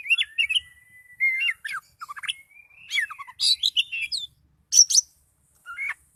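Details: Oriental magpie-robin, described as highly agitated, singing a varied song of whistled notes, sliding rising and falling phrases and sharp high chirps, with brief pauses between bursts.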